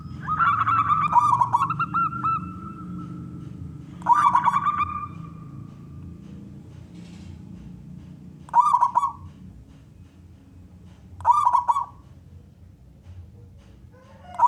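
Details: Local zebra dove with a loud voice, its song meant to coax other doves to sing; short separate bursts of rolling coos come every few seconds, with a quiet low hum between phrases.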